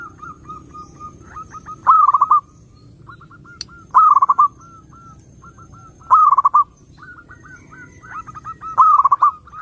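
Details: Zebra dove song played to lure other doves. Loud rolling, stuttered coo phrases come roughly every two seconds. Between them run quieter chains of short, evenly repeated coos, with a faint high hiss throughout.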